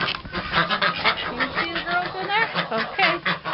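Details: On a winter morning, domestic ducks inside a coop quack in a busy chorus of overlapping nasal bursts, several a second, before being let out and fed, while a person talks alongside.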